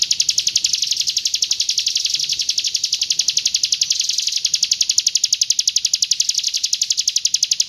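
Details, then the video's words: Hill prinia from East Java singing in the roll tembak style: a long, loud, steady trill of sharp high notes, about ten per second, with slight swells in volume and nothing else clearly audible. "PRENJAK GUNUNG ROLL TEMBAK"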